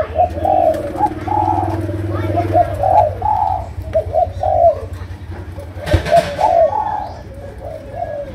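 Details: Malaysian spotted dove giving chiêu gù cooing in sấm đồng voice: short rounded coos in uneven bursts over a steady low hum, with a sharp noise burst around the six-second mark.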